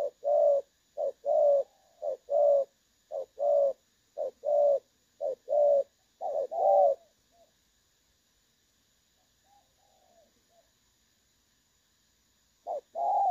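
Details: Spotted dove calling in the clear 'đồng son' style, a recording meant for decoy trapping. Seven short-long coo pairs in a brisk rhythm give way to a long pause with faint far cooing, then the calling starts again.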